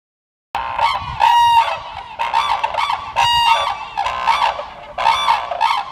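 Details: Red-crowned cranes at Kibiji Tsuru no Sato in Soja, Okayama Prefecture, Japan, whose low buzzing 'boo-boo' call recalls a phone vibrating. Loud, harsh harmonic honks come in bursts about every second, overlapping one another, after a brief silent start.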